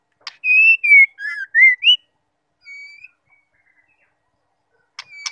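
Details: Female white-rumped shama uttering the ngukluk call, used to set males singing: five bright whistles in quick succession, falling then rising, a softer lone whistle after a gap, and a click at the end.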